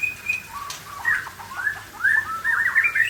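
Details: Aceh white-rumped shama singing in a showy style, opening with a steady high whistle, then a string of warbled, looping phrases that climb and tumble, growing louder toward the close.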